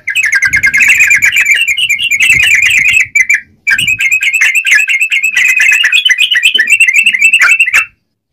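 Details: Vigorously singing yellow-vented bulbul, known as trucukan: long, almost unbroken runs of rapid buzzy chattering notes, about three seconds, a brief gap, then nearly four more seconds of the same quick chatter; low background rumble.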